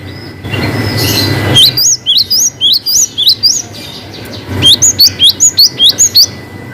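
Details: Cinereous tit giving a long-whistle song variation: two runs of crisp upslurred whistles, each note sharply rising, about three per second. A brief burst of broad noise comes first, with a faint steady tone underneath.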